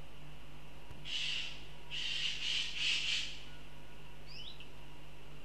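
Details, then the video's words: Northern goshawk from Riga, Latvia: one hoarse cry, then a rapid run of three or four harsh, rasping calls, followed by a faint high chirp from another bird over a steady background hum. "Goshawks Riga/Latvia"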